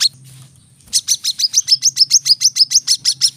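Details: Rapid-fire song of the brown-throated sunbird, used as training audio for caged birds. After a near-silent second, a tight string of high, sharp chip notes starts and runs steadily to the end over a low hum.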